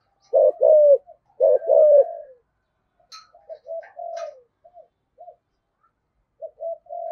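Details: Spotted dove in the 'giọng thổ' style, cooing to draw wild doves to respond: two strong, low, drawn-out coo phrases, then only soft broken fragments and short pauses.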